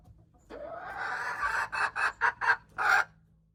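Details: Hen crowing, recorded January 21, 2025: a harsh, hoarse drawn-out note that swells for about a second, then breaks into four or five short loud bursts before fading, with a faint steady hum underneath.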